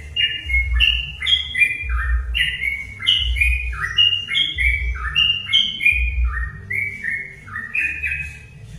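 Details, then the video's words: Sooty-headed bulbul song used as a lure to provoke other bulbuls into singing: short bubbly whistled phrases, rising and falling, about three a second, with a low rumbling hum underneath. "pancingan burung trucuk"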